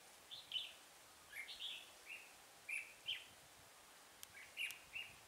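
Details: Red-whiskered bulbul used as a decoy while trapping on a cold 12-degree day, 24 November 2017: faint, short chirpy whistled notes in scattered pairs over steady background hiss.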